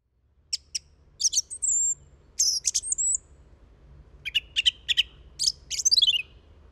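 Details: Song thrush singing high, bright phrases: a pair of sharp ticks, a quick chattering burst, then a thin slurred whistle, followed by a cluster of clipped notes and a final descending trill.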